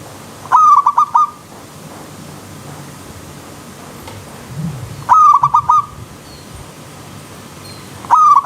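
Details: Zebra dove song in the wild with a river stream: a short phrase of rolling, tumbling coos repeated three times at intervals of about four seconds, over a quiet background.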